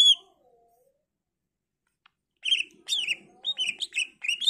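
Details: Greater green leafbird singing, used to lure other leafbirds into replying: a single bright note, then a pause of about two seconds before a rapid jumble of chirps and whistled slurs.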